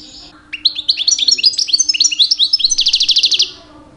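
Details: A two-year-old goldfinch sings a lively run of quick rising chirps that ends in a fast, buzzy high trill, part of a rich song delivered in mating season to attract females.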